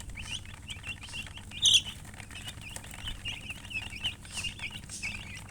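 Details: Baby chicks of the domestic chicken peeping in a steady, busy chorus of brief high notes, with one sharp, louder cheep standing out near the middle.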